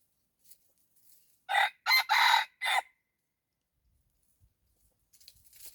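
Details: Red junglefowl decoy crowing to lure wild junglefowl; one loud, harsh crow broken into four bursts with a drawn-out middle, then quiet with faint rustling.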